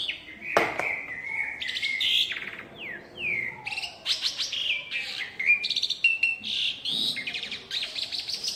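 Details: Asian pied myna perched in a tree, delivering a lively mixed song of clear rising whistles, falling slurs and harsh buzzy bursts, strung together continuously.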